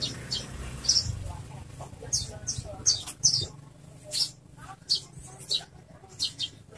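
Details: Horsfield's bush lark in loud, full song, kept for song training: short bright high chirps, some clipped and buzzy, come in irregular bursts about every half second, over a low murmur and faint voices.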